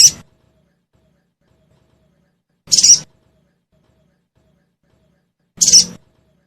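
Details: Sogon chirps used as a lure for caged birds: brief, high, scratchy single notes repeated roughly every three seconds, with nothing else audible.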